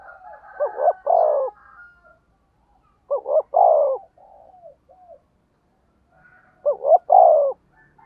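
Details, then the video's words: Spotted dove decoy call in the fast 'thúc gù' style with a 'thổ đồng' voice: three loud, low cooing phrases, each a stuttered double note then a long hoarse coo, spaced about three seconds apart, with softer trailing coos between. "tiếng cu gáy mồi chuẩn, cu gáy thúc gù giọng thổ tốc độ"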